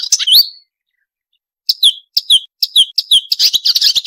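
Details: Marsh warbler, sharp 'nembak tajam' training song for songbirds: one swooping whistle, a pause, then a quickening string of sharp, falling, whistled notes.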